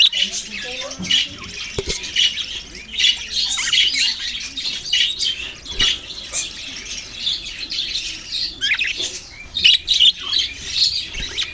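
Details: Australian parrots, budgerigars, chirping together: dense, continuous chatter of squawks and warbles, mostly high-pitched, with brief louder bursts throughout.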